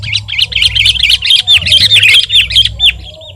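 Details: Sooty-headed bulbul (kutilang) singing actively, used as a tutor and lure recording for birds: a fast, dense chatter of short, high, twisting notes, some slurring downward near the end, over a steady low hum.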